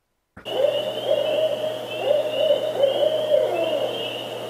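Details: A Barred Owl, a nocturnal owl of eastern North America, gives a rhythmic run of deep, resonant hoots in the familiar 'who cooks for you' pattern, over a steady low hum.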